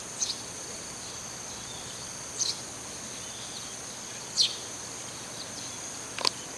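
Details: Eurasian tree sparrow that regularly calls from the same rooftop gives four short, high chirps, about one every two seconds, over a steady high insect-like hum.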